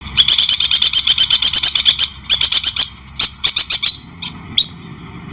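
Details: White-rumped shama singing in the style of the long-tailed shrike, a clear training recording with pauses: a rapid, even rattle of high chattering notes, brief gaps, then scattered chips and upward-slurred whistles at the end.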